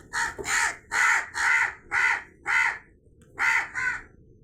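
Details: Rapid run of about eight rough, grating crow caws in quick succession, with a short silent break before the final pair.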